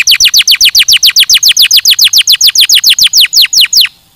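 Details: Canary delivering a long, regular run of loud, high downslurred notes, roughly five per second, before stopping abruptly.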